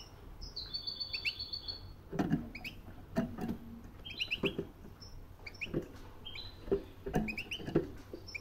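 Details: Caged European goldfinch, calling rather than singing while it hops about its cage: short high twittered notes and brief chirps scattered between repeated dull thumps and patter from its movement.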